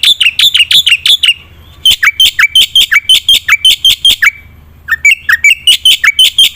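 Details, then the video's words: Black-winged myna singing energetically, intended to lure silent birds into song: three quick bursts of piercing, ringing notes, the later runs opening with lower, downward-slurred whistles before the rapid high repetitions. "suara burung jalak putih gacor full isian"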